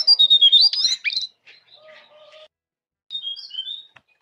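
A Javan Munia gives a quick burst of thin, high squeaky chirps and slurred whistles, a short pause with faint lower notes, then another squeaky phrase.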